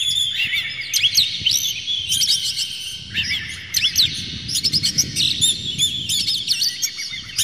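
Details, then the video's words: Emotional Oriental magpie-robin with tail open, used as a lure for other magpie-robins: loud dense song of swooping whistles, harsh chirps and clicks, nearly without pause. "dijamin kacer langsung ngamuk2 dengar kacer ini bongkar emosi buka ekor ngobra full isian"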